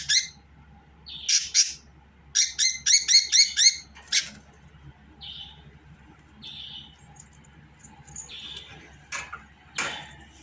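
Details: Budgerigar opens with a fast run of loud, scratchy, clicking notes, then switches to scattered soft whistled chirps and a couple of sharp clicks near the end.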